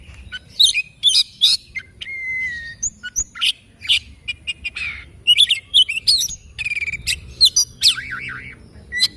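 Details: Oriental magpie-robin in morning song, a rich, varied stream of sharp chirps, clear level whistles and quick warbled trills, including one wavering note near the end, delivered almost without pause over a faint low hum.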